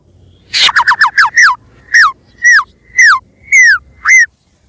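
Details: Lure recording of a white-rumped shama: a quick cluster of notes, then a series of clear slurred whistles, each falling in pitch, repeated about every half second.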